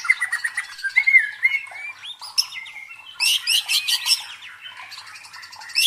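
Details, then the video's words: Murai batu (white-rumped shama) singing as a provoking sound for contest birds. Clear whistled notes give way to a rhythmic series of loud, harsh, high chattering bursts, then renewed rasping. "MELATIH MENTAL FIGHTER MURAI BATU DENGAN SUARA PANCINGAN INI"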